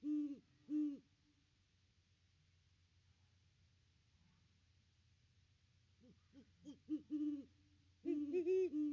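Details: Deep hoots of a Great Horned Owl at the nest tree, December 25, with its mate nearby. Two strong hoots open, then silence, then soft hoots swelling into a louder, irregular string of low notes.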